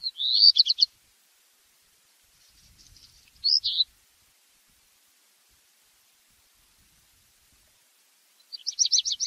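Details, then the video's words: Black redstart (Phoenicurus ochrurus) song: a burst of quick, ringing high notes, then faint crackly scratching and a short sharp phrase, then a long silence before another rapid high trill starts. No background noise. "o canto do RABIRRUIVO-PRETO/BLACK REDSTART SONG (Phoenicurus ochrurus)"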